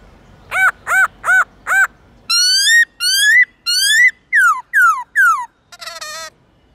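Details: Morning forest-style song of a black-throated laughingthrush used in training young birds: four arched whistles, a run of long rising whistles, then sharply falling slurs, ending in a harsh, buzzy note.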